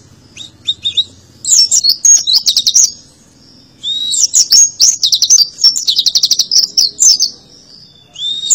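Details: Oriental white-eye delivering tembakan song: scattered high chirps build into long, rapid volleys of sharp, stuttering whistles and downward slurs, broken by one brief lull, a soft hum underneath.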